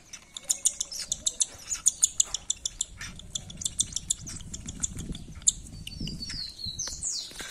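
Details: Hungry cockatiel chick begging while being fed: a fast series of short, high, raspy chirps, roughly three per second for about five seconds, then softer scattered squeaks with rustling and handling sounds.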